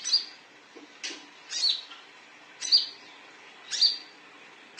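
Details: A konin, the olive-backed sunbird, gives lure calls to set other birds singing: bright, high, down-slurred chirps repeated roughly once a second, crisp against a quiet background.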